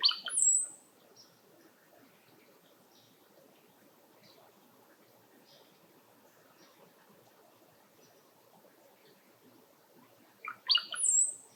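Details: Brown-headed cowbird (Molothrus ater) in a tree: bubbly liquid gurgle ending in a thin very high whistle, twice about ten seconds apart, with faint soft chirps between.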